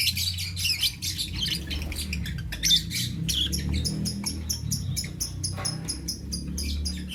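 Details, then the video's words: Morning lovebird chirps, bright and clipped, repeated rapidly in bursts over a steady low hum running underneath the whole time. "Lovebirds Chirping Sounds"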